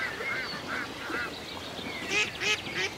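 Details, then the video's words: Ducks on a lake in the countryside: soft, scattered nasal calls give way to three loud, ringing quacks about a third of a second apart near the end. "A Peaceful Day in the Country with Ducks Ambience"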